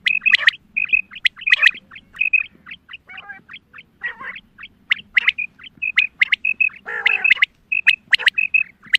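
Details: Female quail calling, a sound used in hunting: runs of short high whistled notes punctuated by sharp clicks, with a loud harsh squawk around the seventh second.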